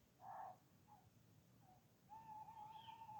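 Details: Nocturnal Tawny Owl hooting in British woodland: a short loud opening note, two faint soft notes, then a long, steady, slightly wavering hoot held for over a second against quiet low background noise.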